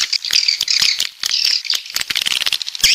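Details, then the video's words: Coastal swiftlet from the south: high squeaky chirps and short twitters broken by sharp rattling clicks, uneven bursts with brief gaps. "Suara Walet Pantai Dari Selatan"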